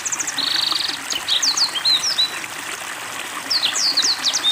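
A Black-throated Canary sings a high, fast, varied twitter, opening with a buzzy trill, then quick sweeping whistled notes, over a steady trickle of running water.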